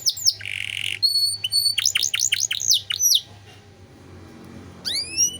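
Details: Canary singing a master song for tutoring other cage birds: a harsh buzzy rattle, clear high whistled notes, a run of quick falling sweeps, then a pause and rising slurred whistles.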